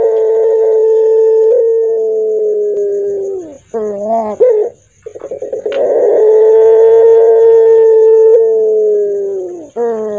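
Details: Deep, hoarse, fearsome-sounding call of a puter pelung (Barbary dove): two long level low coos framing a short wavering phrase and a rapid pulsed roll, ending with a rising note.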